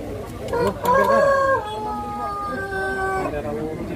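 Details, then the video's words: A Pelung rooster at a crowing contest in Karangrau village, Banyumas, Indonesia, gives a rising opening, then a long wavering sustained crow lasting nearly three seconds; voices of spectators are audible underneath. "Kontes Ayam Pelung Banyumas"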